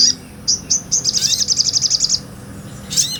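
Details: Ngobra-style sunbird song, recorded for teaching other songbirds such as starlings, magpie-robins and shamas: a few high chips, then a fast even trill of about fifteen piercing notes, ending with a sharp burst, over a low background rumble.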